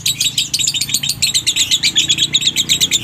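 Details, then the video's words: Lovebird in konslet minor, dry-toned song used to draw other lovebirds into singing: quick bursts of high, squeaky chirps, roughly four a second, rhythmic and slightly uneven. "SIMULASI SUARA LOVEBIRD KONSLET MINOR NADA KERING ,COCOK UNTUK MEMANCING DOBELAN LOVEBIRD ANDA"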